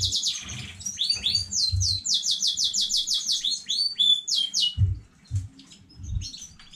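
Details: Singing canary, domestic, from a new breeding line, dated 15.05.2019: loud sweeping slurs, then an even rattle of rapid repeated high notes, a short whistle, and quieter scattered chirps as the phrase ends, with low thuds.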